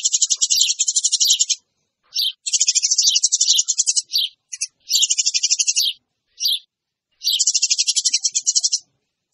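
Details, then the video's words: Noisy Eurasian tree sparrow lure: long bursts of rapid, harsh, high chirps lasting one to two seconds, separated by brief pauses and single chirps. "SUARA PANCINGAN BURUNG GEREJA RIBUT"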